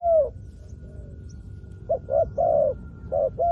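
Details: Spotted dove calling as a decoy used to lure wild doves down to the ground: one drawn-out coo, a pause of over a second, then paired short coos each followed by a longer, slightly falling coo. Steady faint hum throughout.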